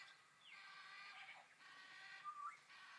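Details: Two superb parrots, likely in a zoo, forage through grass for seeds; soft, harmonic, nasal calls slide and waver, with a brief higher whistled note near the end.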